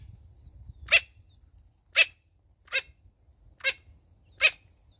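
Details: Natal spurfowl mother with chicks, South Africa, calling five coarse, rasping notes roughly one per second over a soft low rumble.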